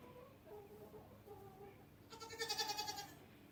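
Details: Backed-up hen unable to poop, calling oddly: a string of soft, short, mid-pitched notes, then a louder wavering, bleating cry of about one second with a fast quaver and bright overtones.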